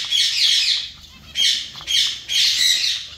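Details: Zebra finch colony calling in overlapping bursts: dense, nasal, buzzy chatter from several birds, three or four loud waves within about three seconds with brief quieter gaps.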